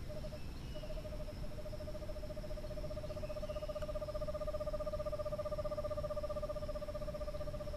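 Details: Male Eastern screech owl arriving at a nest box at dusk during courtship, body shaking as he calls, bringing food to the female: a long, steady, rapid monotone trill of even pulses lasting several seconds after a brief opening note, over low rumbling background noise.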